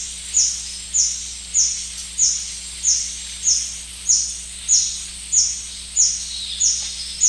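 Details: White-bearded Hermit along the Shiripuno River, visiting wild ginger flowers, gives a thin, very high squeaky note, repeated steadily about every two-thirds of a second, with a faint hiss in the background.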